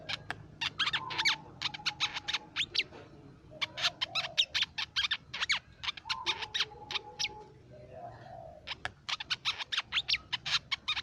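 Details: Crimson sunbird, played as a lure and training recording for songbirds: rapid bursts of sharp, high chirps and trills in quick clusters, with a steady lower whistled tone drawn out twice in the background.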